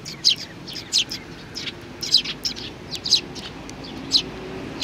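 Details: Sparrows with youngsters, 27 June 2019: bright, sharp chirps in little bunches about every half to one second, some stacked and emphatic, over soft background noise.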